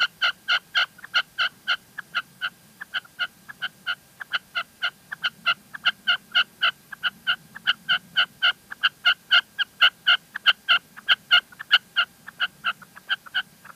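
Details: Loud, sustained calling of a female red-legged partridge in La Mancha, Spain: a long, brisk train of sharp ringing chuck notes at about four per second, slightly irregular, with a soft low hum behind.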